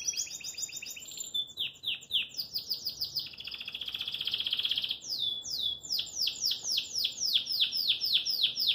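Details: Caged Belgian canary performing: rapid high trills, a chain of sharp descending swoops, a fast pulsing buzzy roll, then long runs of repeated downward-sweeping chirps about four per second.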